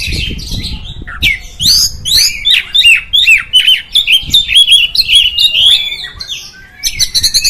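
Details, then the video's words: Oriental magpie-robin singing to provoke rival magpie-robins, a dense, continuous stream of bright whistled slurs and sharp chips, fast and varied, with some low rumbling background noise at the start. "Suara Burung Kacer, Buat Memancing Burung Kacer Anda Emosi."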